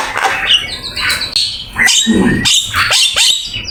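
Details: Black-winged myna singing a lively, full-content master song used for training: high whistles, harsh rasps and a low gurgling note in the middle, then sharp clicking notes.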